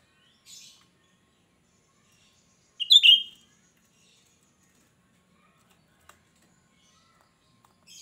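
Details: Cucak rante singing shrilly, a song used to lure other birds: one loud, sharp, slurred whistle burst in the middle, framed by faint high chips and long quiet gaps.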